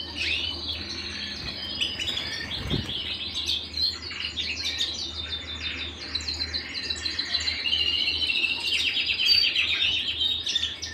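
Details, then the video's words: Canary singing at home, a busy stream of warbled twitters and quick trills, steady throughout, over a faint low hum. "canary singing at home"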